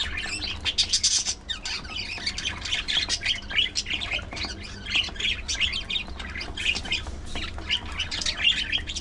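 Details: Several pet budgerigars (parakeets) feeding on seeds and fresh vegetables, chirping as they peck and munch; continuous busy, high warbling chatter of overlapping chirps and short squawks, with sharp clicking taps throughout.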